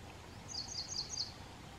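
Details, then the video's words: Ashy prinia calling, four quick, high, thin notes in under a second over steady background hiss. "Ashy prinia bird colling"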